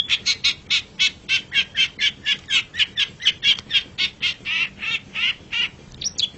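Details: Long-tailed shrike (pentet) in a masteran tutor recording: a steady, rapid series of harsh, buzzy chattering notes, roughly four per second, ending in a brief rising squeak.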